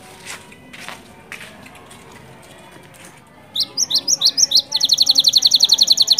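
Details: Canary song used to stimulate other canaries to sing: after a quiet stretch with faint ticks, a series of rising chirps gives way to a rapid, even trill of repeated high notes.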